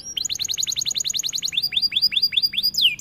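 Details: Singing canary in a training recording: rapid string of high rising chirps, then slower repeated downslurred notes and a final drawn-out falling sweep.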